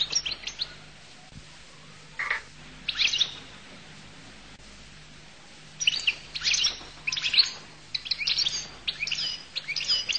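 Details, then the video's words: Goldfinch song labelled al-Qull: short bursts of high, bright twittering and trilled notes, quiet early on with a long pause near the middle, then denser clustered phrases toward the end over a faint low hum. "تغريد حسون القل"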